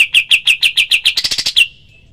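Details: Pied triller, kapas tembak, giving its rapid tembakan call, recorded as training material for other songbirds: about nine sharp, slightly falling chirps, then a quicker burst of higher notes, ending in one final chirp and a short fading tail.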